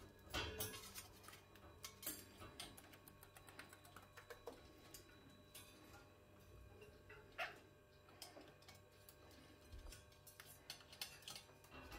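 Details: Clinks, taps and clatter of kitchen utensils sound over a low steady hum. No clear animal call stands out.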